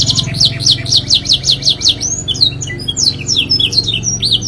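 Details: Canary in long, vigorous lure song: rapid series of repeated rising chirps high in pitch, then varied sweeping and trilled notes, with a steady low hum underneath.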